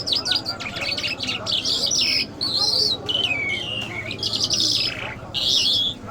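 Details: Iranian lark, or jal, of the Mashhadi type. Dense, varied song of sharp high notes, descending slurs and warbled phrases comes in bursts separated by brief pauses.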